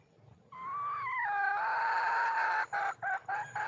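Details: Wild female red junglefowl calling for a male: one loud, drawn-out harmonic note. It starts a little higher, then settles to a steady, slightly falling tone. It breaks into a few short choppy bursts near the end. Little background noise.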